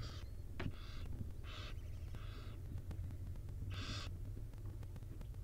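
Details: Wild barn owl with her tiny chicks: short, harsh, breathy hissing bursts, each under half a second, come in an irregular series over a steady low hum.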